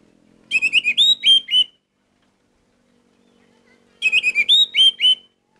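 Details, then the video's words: Orange-headed thrush in gacor song, said to boost emotion: two bursts of about seven quick, clear, slurred whistles each, over a faint low steady hum. "Anis merah gacor Mendongkrak emosi"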